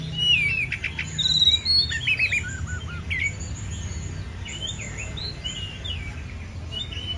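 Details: Oriental magpie-robin (kacer) singing actively: a varied run of clear whistles, quick chirps and short rising and falling phrases, loudest at the start and then sparser, over a low steady hum.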